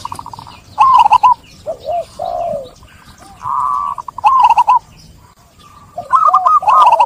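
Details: Zebra dove cooing used as a lure to get stressed, silent caged doves singing again after communal aviary or trapping: rapid wavering, trilled coo phrases at mid pitch in several overlapping bursts, with faint low rumble behind.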